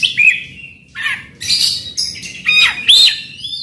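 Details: Oriental magpie-robin singing to provoke a silent bird, giving clear whistled slurs mixed with harsh rasping notes in short phrases about every half second.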